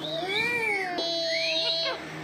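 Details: Talking pet parrot imitating speech, the words "Allah Ho": two drawn-out, wavering, nasal voiced syllables with strong harmonics, the second gliding steadily before fading, over a low constant hum.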